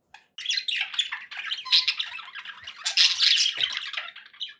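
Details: Happy pet budgerigars in steady, loud warbling chatter: rapid scratchy squeaks and buzzy notes run almost without pause, with occasional faint clicks.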